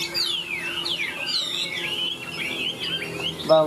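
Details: Large caged Chinese hwamei singing high, a string of clear whistled notes sweeping down and up in quick slurred phrases, with a faint hum and a brief clatter at the end.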